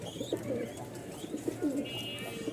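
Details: Three male Rajshahi flying (uraobaji) pigeons, domestic birds kept at a pigeon market in Mirpur-1, Dhaka; low pulsing coos, several short bursts through the clip, with faint whistling and room noise behind.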